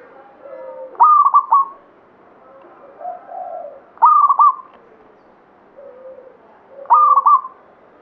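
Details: Zebra dove, a local bird of the Banyumili katuranggan type, in full song: three bright staccato cooing phrases roughly every three seconds, each breaking into clipped notes then a drawn coo, over quieter low cooing in the background.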